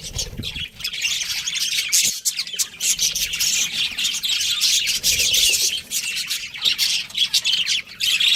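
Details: Nonstop high-pitched warbling chatter from a breeding pair of pet budgies, with scratchy chirps and clicks packed closely together and only a short pause near the two-second mark.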